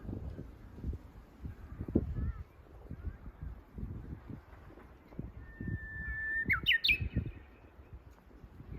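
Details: Lesser cuckoo in spring during a walk: after several seconds of footsteps, one brief phrase begins with a level whistle and leaps upward in quick stepped notes.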